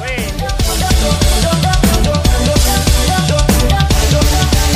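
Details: Loud drum-driven music with a pounding bass drum, snare hits and sustained synth tones throughout, with no animal voice audible.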